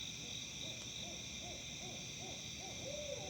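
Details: Owls in Tennessee making odd, monkey-like noises: faint, short arched hoots repeated roughly every half second, ending in a longer drawn-out note, over a steady high insect-like drone.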